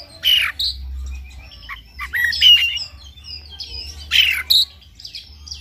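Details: White-rumped shama song in the morning, used to stimulate another bird to sing: varied whistled and harsh phrases in separate bursts about every two seconds, with a low hum underneath.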